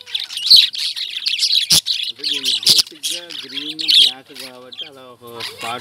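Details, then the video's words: Indian lovebirds chatter in busy, shrill squeaks and tweets, broken by two sharp knocks. In the second half a clear, wavering humanlike voice or tune rises beneath the bird noise. "Love Birds Chirping"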